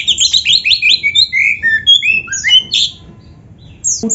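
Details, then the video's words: Oriental magpie-robin song from a master recording for training kept birds; a tumbling sequence of bright whistles and downslurred notes lasting three seconds before falling quiet. "Masteran Kacer Gacor Full Isian"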